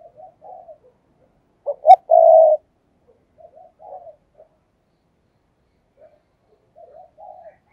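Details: Low, soft spotted dove cooing, used as a decoy call to lure other doves. One loud phrase of two quick notes and a drawn-out steady coo stands out among quieter, scattered murmured coos. No other sounds.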